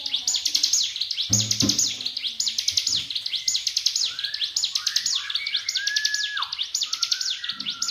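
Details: Songbird master recording from Indonesia, used for training birds: rapid, high, sweeping trilled phrases repeated almost every second, with a few lower whistled slurs and a short low burst in between.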